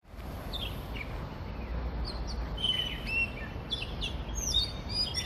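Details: Oriental magpie-robin singing in Hong Kong, recorded on a phone voice recorder; varied whistled notes and short rising and falling phrases scattered through the clip, over steady low background noise.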